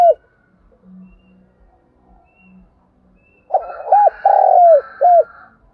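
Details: Spotted dove kept as a decoy to get other doves singing; after a quiet stretch with faint low hums, one loud phrase of short hooked coos and a long drawn coo ending in a brief falling note.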